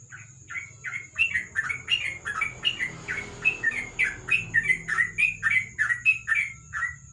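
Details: Sooty-headed bulbul singing ropel at night under a lamp: a clear, lively chain of about twenty short, bubbly whistled notes in seven seconds, each slurring downward, with only a faint high whine in the background.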